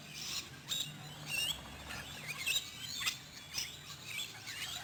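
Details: Wild rainbow lorikeets from a flock fed in the afternoon at a Queensland campground, lured across it to a camper: sharp, high screechy chirps in irregular bursts about once a second, over a steady low hum.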